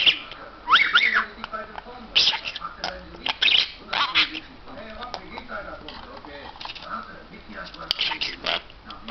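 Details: Pet talking bird that mimics words in English, German and Turkish, producing raspy, speech-like phrases broken by sharp squawks and brief whistles, with short pauses between bursts.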